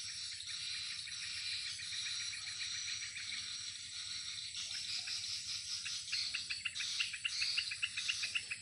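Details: Afternoon swiftlets playing over their swiftlet house. Continuous dry, buzzy twittering built from rapid clicking pulses, growing louder and choppier toward the end, over a constant high-pitched whine.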